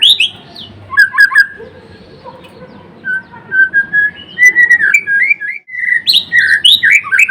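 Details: A white-rumped shama of the Blorok type sings gacor: sharp opening notes, soft flowing whistles, then an energetic cascade of rapid looping whistled phrases.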